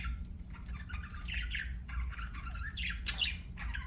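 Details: Quiet budgie chatter: scattered high chirps and scratchy warbled notes in short clusters, partly masked by a steady low rumbling hum.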